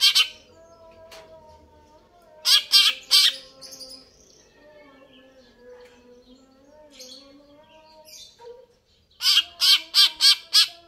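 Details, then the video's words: Greater green leafbird singing vigorously: clipped bursts of rapid, raspy high notes, with a group of three, then a closing run of five quick pulses; faint humming tones fill the gaps. "cucak ijo"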